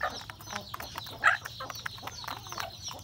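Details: Breakfast time for rural backyard chickens, roosters and a hen: short clucks and pecks, with one sharp loud call in the middle of the brief stretch.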